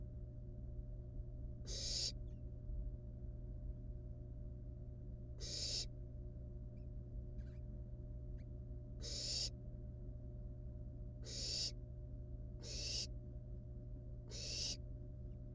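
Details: Wild barn owl nestlings at the nest, playing with a live rat brought as prey, give harsh broadband hissing screeches, six bursts spaced irregularly over about fifteen seconds, over a steady low electrical hum.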